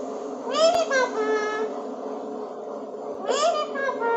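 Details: A rescued talking Alexandrine parakeet says two short, high, nasal word phrases, apparently "Papa" / "Mere Papa", about three seconds apart over a steady indoor hum.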